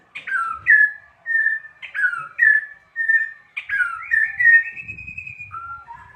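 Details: Provocation song of a white-rumped shama, a series of clear, sliding whistled phrases, each about half a second, repeated in steady bursts, ending on a long even whistle and lower notes, with faint low rustling.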